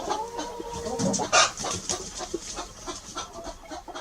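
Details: Hen perched up in a tree giving a drawn-out harmonic call during the first second, followed by a run of short, uneven clucks, about three per second, with faint background noise.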